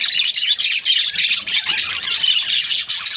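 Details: Budgerigars, Australian parrots in breeding pairs, chirp busily in a high, twittering jumble of squeaky and buzzy notes, with rapid rises and dips in loudness.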